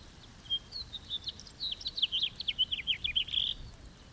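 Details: Singing house finch, Haemorhous mexicanus, gives a hurried series of sweet, slurred chirps strung into a warbling phrase that ends in a burry note, over steady background hiss.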